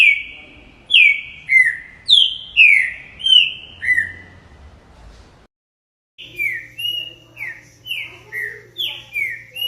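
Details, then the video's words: Green-winged saltator delivering loud down-slurred whistles in quick series; after a short silent break the song resumes with similar falling notes over a faint low hum. "TRINCA FERRO ,os melhores Cantos"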